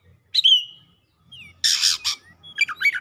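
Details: Oriental magpie-robin singing excitedly and releasing its isian fill-ins: a sharp falling whistle, then a loud, harsh, noisy rasp and a quick jumble of high twittering notes, with faint low background rumble.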